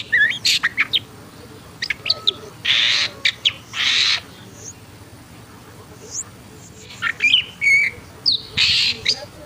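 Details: Agitated long-tailed shrike producing long harsh rasping notes interspersed with short clicks and a few whistled upslurs, in two clusters separated by a quiet gap.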